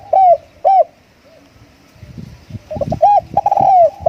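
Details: Spotted dove used as a decoy bird, giving two short arched coos, then soft knocking thumps, then a run of quick coos closing with a long descending note.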